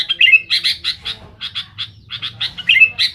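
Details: Sooty-headed bulbul giving harsh, chattering chirps to challenge rivals: rapid squawky notes in quick succession with a couple of brief slurred whistles.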